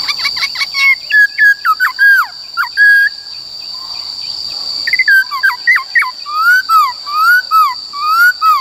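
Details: ['White-cheeked laughingthrush singing the forest voice, used to train young and wild-caught birds: busy phrases of short hooked and downslurred whistles, a brief pause, then looping falling whistles repeated, all over a steady high electronic tone.']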